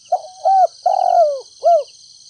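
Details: Spotted dove decoy, 'thổ đồng' voice, from Ninh Thuan, Vietnam, giving a stuttering 'thúc gù cà lăm' coo meant to lure wild doves. A quick phrase of four soft hoots has a long sliding third note. Steady high insect trilling sounds in the background.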